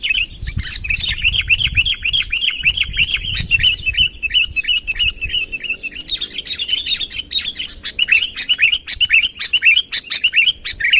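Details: Persistent Sooty-headed bulbul calls to summon a rival: long chains of repeated arched whistled notes, fast and even early on, later denser and choppier, with a faint high hum behind.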